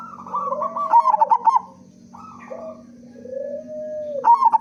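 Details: Big-voiced local zebra dove singing as a lure for other doves. Rapid pulsed coos alternate with long, level hummed notes, some lower and drawn out, over a steady low drone.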